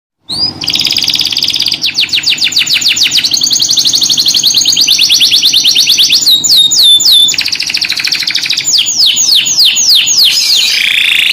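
A canary sings a long, high, rolling song of rapid trills and repeated sweeping whistles, changing phrases every second or two without pause.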